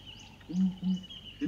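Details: A family group of Southern ground hornbills (one male, one immature, two females) calls from their nest tree, a giant sycamore fig: deep, booming hoots, three low notes about a third of a second apart, over a faint high insect-like hum.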